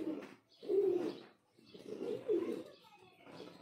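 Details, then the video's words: A male pigeon gives low, throaty, rolling coos in bursts about a second long, with short pauses between them. "Pigeon Sound | Kabutar ka awaaz"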